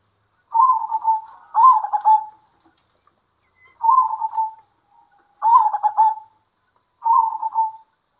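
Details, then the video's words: Local zebra doves responding to each other at midday. Five short, pulsed coo phrases come in pairs and singles, each under a second, with silent gaps between them. "PERKUTUT LOKAL GACOR ADU NYALI"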